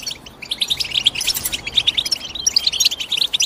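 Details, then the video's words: Rapid high twitter of European goldfinch, with short tinkling notes and bright chirps tumbling over one another in a busy, continuous flow; a few notes ring out more clearly than the rest. "The GOLDFINCH CHIRPING SOUND"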